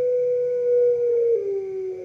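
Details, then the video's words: Single long call of a Pelung dove, a smooth level tone held for two seconds that steps down slightly near the end, over a low steady background hum. "Kumpulan _Suara Puter Pelung Bikin Burung Puter Lain Ikut Manggung Gacor"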